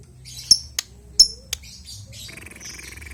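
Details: An albino lovebird gives short, shrill, high chirps, two sharp squeaks about a second apart among dry clicks, followed by a steadier buzzy, harmonic rasp.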